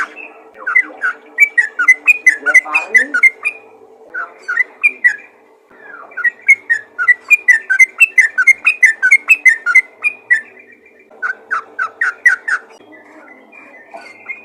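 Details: A yellow-vented bulbul calls out to fellow bulbuls in energetic bursts of tumbling chirps and slurred whistles, about two per second, separated by brief pauses near five and eleven seconds, with a faint steady hum underneath.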